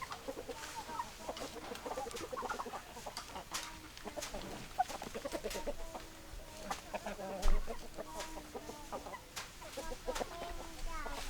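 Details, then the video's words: Chickens clucking in a group, soft repeated low clucks and a few rising calls over steady low rumbling background noise and occasional knocks. "Chicken Sounds Noises Hens Clucking Roosters Crowing"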